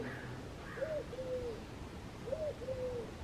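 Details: A Mourning Dove cooing on an electrical wire gives soft, low, hollow coos: a short rising-falling note then a longer level one, twice about 1.5 seconds apart, over a low background hum.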